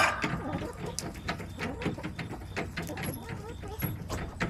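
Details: Hens in a backyard flock on September 21, 2024, producing a continuous stream of soft, wavering clucks and short murmured notes from several birds, with a steady ambient hum underneath.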